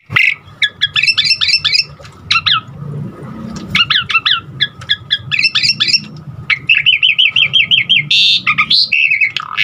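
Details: Asian pied starling singing a varied, full song used to stimulate other starlings to sing; bursts of rapid chattering notes, repeated squeaky whistles and harsh squawks, with a faint steady hum and low background noise beneath.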